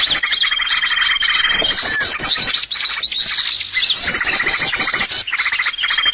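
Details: Trapping lure of bird sounds: opens with a long, level whistle, then a thick run of quick high chirps, trills and rising flicks that continues almost without a break.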